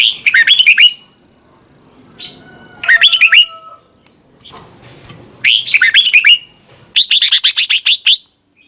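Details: Thai red-whiskered bulbul singing, a recording meant for young birds to copy: four lively phrases of fast, rolling whistled notes, the last a rapid even series of about ten clipped notes.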